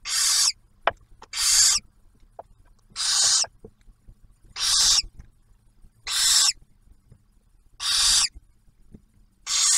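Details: Barn owls at a wildlife refuge nest box near Oak Harbor, Ohio, as the male delivers food and the female shares it with the new owlet; a long series of seven rasping hisses roughly every 1.5 seconds, occasional clicks.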